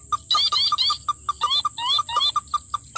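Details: Sintar api, also called tikusan mata merah, being lured and trapped: a steady series of short mid-pitched notes repeated several times a second, mixed with higher, wavering double whistles.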